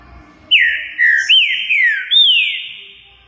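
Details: Green-winged saltator, a Brazilian songbird, giving one clear whistled phrase of four or five rich notes, each rising sharply then sliding down, in a quiet setting.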